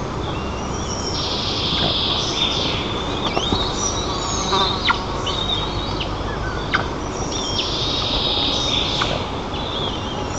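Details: White-tailed eaglet in a nest in Nizhnyaya Kama National Park, Tatarstan, on 30 June 2024, gives thin, high squealing begging notes in short bursts over rushing wind, with scattered sharp knocks and rustles, apparently squabbling with its mother over feathers its father brought.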